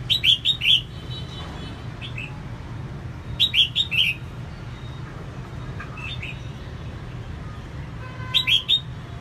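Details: Female red-whiskered bulbul singing to stimulate males: three short bursts of four or five slurred, whistled notes around the upper mid range, roughly every three to four seconds, with faint softer notes between and a steady low hum beneath.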